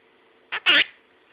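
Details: Pet monk parakeet mimicking words, prompted by its owner to say bye-bye; two short harsh syllables in quick succession, the second louder and longer, over a quiet indoor background.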